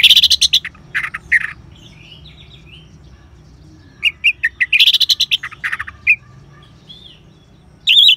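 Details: Orange-headed thrush ngeban song to encourage caged birds to sing: dense bursts of chattering, buzzy notes with soft warbled phrases between, repeated after a quiet pause, and a final short burst.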